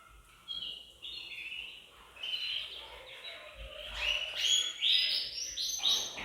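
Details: Canaries singing as a group in an indoor bird room to prompt males to sing: quieter scattered twitters build into loud, bright trilled bursts and sharp chirps in the second half.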